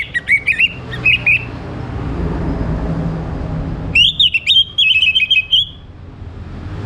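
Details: Orange-headed thrush morning song used to prompt other birds into singing: two short bursts of rich, clear, warbled whistles, the second phrase longer with rising and wavering notes, over low hum.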